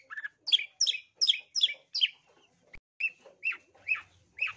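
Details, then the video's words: Long-tailed shrike, lure song: a run of five loud harsh chack notes about every 0.4 seconds, a short pause, then four softer rasping notes spaced roughly half a second apart. "Cendet paling gacor full isian // Suara pikat Cendet"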